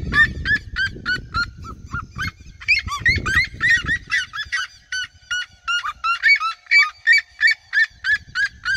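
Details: Red-legged seriemas, several birds encircling the person filming in open country, singing: rapid barking yelps in overlapping chorus, with heavy low wind rumble during the first seconds.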